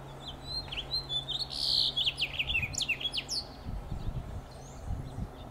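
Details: A male House Finch gives contact calls from a Monterey pine in Del Monte Forest, California: a quick run of bright, chirpy notes, some sliding up and down, over a low steady background hum.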